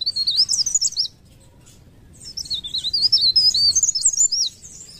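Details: Leaf warbler, local name blerengan or cikrak daun, gives a short burst of high, rapid, wavering twitters, pauses about a second, then a longer matching burst of thin, quick, zigzag notes.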